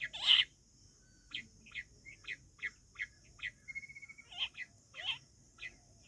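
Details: Wild quail heard in a hunting context. A loud opening chirp is followed by scattered short, high clipped notes. A brief level whistled trill cuts in midway, over a constant thin high hum.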